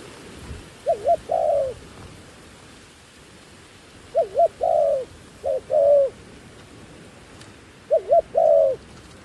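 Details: Decoy dove luring wild doves: three-part low phrases, two quick rising-falling notes then a longer coo, repeated four times with pauses of a few seconds.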